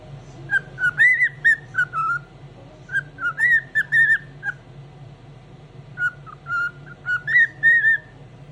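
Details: A cockatiel in high spirits sings in the morning: pure whistled phrases of quick rising and falling notes, grouped into three runs with short silences between, constant low hum underneath.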